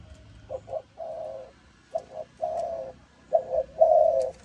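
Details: Malaysian-line spotted dove in the 'âm thổ' voice style: short double notes followed by a long, rich coo, repeated in three low phrases with brief pauses.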